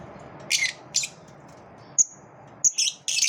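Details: Lovebirds in a competitive moment: shrill, high squawks and chirps in short bursts, a sharp whistle-like note near the middle, then a rapid cluster of harsh calls toward the end, over a quiet indoor hum.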